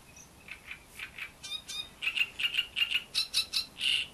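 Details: Great reed warbler singing at Bohdanečský pond, Czechia: loud, harsh, grating notes in quick pairs and triplets, building into a croaking, chattering run of phrases.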